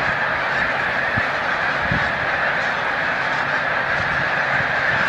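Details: Migrating snow geese gathered at Montezuma, New York, in early March 2022 as migration nears peak; a constant wall of overlapping honking from a large flock, with scattered soft low thuds throughout.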